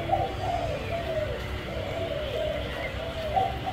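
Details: A spotted dove coos in soft, low, rounded phrases that rise and dip, repeated steadily with little pause, over a constant low background hum.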